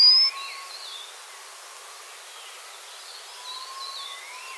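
A White-capped Redstart gives thin, high whistles, one loud at the start, then fainter drawn-out notes rising and falling over steady background hiss.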